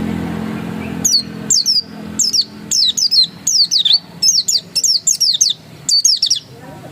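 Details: Oriental white-eye (pleci dakun) in ngotot song: steady, insistent string of high, thin, downward-sweeping notes, paired and tripled, repeated almost without break.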